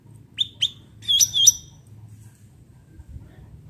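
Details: Cucak ranting bulbul singing in a natural setting, used as lure or tutor material: two quick rising chirps followed by two longer, bright whistled phrases with a faint low hum underneath.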